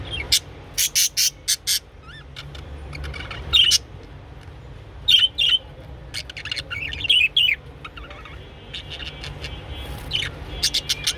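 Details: Japanese budgerigar during mating: rapid high chirps and short squeaky warbled notes in bursts, with pauses between, over steady low background hum.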